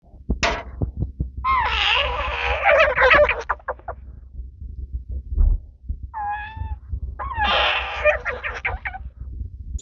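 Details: Baby American crows being fed at a wildlife center in DuPage County give harsh, wavering, nasal begging calls in bursts of a second or more, with gurgling feeding noises and low thumps between.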